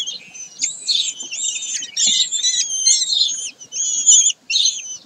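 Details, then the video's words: Shrill, harsh calls from common kestrels at Sägeweg on 22 May 2023, in strained, wavering phrases with faint harmonics and short breaks, the last burst cut off abruptly. "Turmfalken im Sägeweg am 22. Mai 2023"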